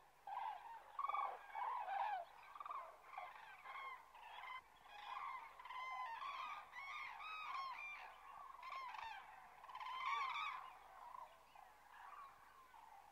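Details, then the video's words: Resting common cranes on autumn migration near Kastlösa, September 2013: a busy chorus of many overlapping rolling, bugling calls, rising and falling in loudness across the flock. "Tranor (Grus grus) Cranes"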